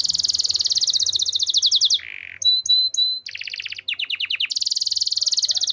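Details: Loud canary song indoors: a rapid high trill for two seconds, a low buzzy rattle, clear whistled notes, a series of descending sweeps, then another long fast trill.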